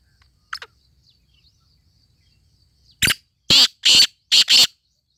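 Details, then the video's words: A faint distant note, then a black francolin, called Sindhi teetar, bursts into a five-note harsh, scratchy phrase, rhythmic and loud, with the final two notes run close together. Soft chirps of small birds sit in the background. "sindhi teetar ki awaz"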